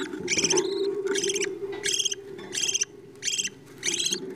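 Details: Budgerigar parents feeding chicks: the young produce pulsed, rasping, buzzy bursts, about six in a row with short gaps, over a steady low hum.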